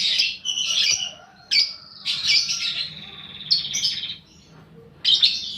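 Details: Fighter-type paud balibu lovebird used as a lure to make other birds sing long ngekek: shrill high chatter in dense bursts, a sustained buzzy trill, then quieter stretches before another loud burst.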